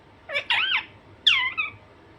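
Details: Two pairs of harsh, wavering squawks from a pet Alexandrine parakeet, each note bending up then down, over a low steady hum.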